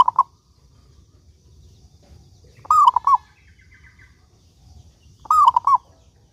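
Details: Song of a lively local zebra dove, played to prompt other doves to sing; the end of one phrase, then two full soft cooing phrases of a wavering coo and two quick round notes, spaced about 2.6 seconds apart.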